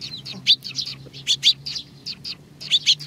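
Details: Sparrows come for food at Tenmangu shrine, Nakanoshima, June 21, 2020, chirping in short paired notes, loose and irregular, against a steady low background hum.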